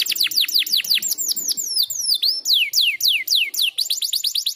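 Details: Canary training song for young, slow-starting canaries: bright, very high notes, each sliding sharply downward, repeated rapidly several times a second in varied runs, with a faint soft murmur below.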